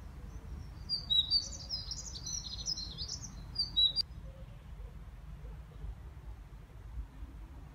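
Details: A great tit at a garden nest box during the breeding season, 16 April 2021, gives a quick burst of thin, high chirping notes for about three seconds, then falls quiet over a low background rumble.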